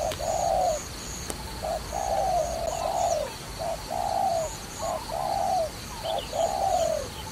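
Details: Cooing dove linked with trapping: a steady sequence of deep coos, brief clipped notes alternating with drawn-out smooth ones, roughly nine phrases across seven seconds, with a quiet constant high hiss behind.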